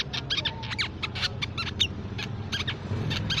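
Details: Crimson sunbird, a bird of shrubs, plantations and forest, as a songbird lure: rapid, high twittering with a few downslurred notes, steady and lively, over a low murmuring background.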